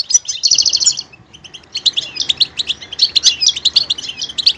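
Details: Goldfinch opening with a fast buzzy trill, pausing briefly, then pouring out rapid high twittering and tinkling chirps.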